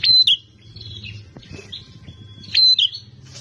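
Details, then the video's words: Fighting-spirited Bar-winged prinia singing agitatedly: two short, piercing bursts of sharp whistle and buzz about two and a half seconds apart, with softer chatter between and a steady low hum underneath. "Prenjak Petarung Gacor Emosian"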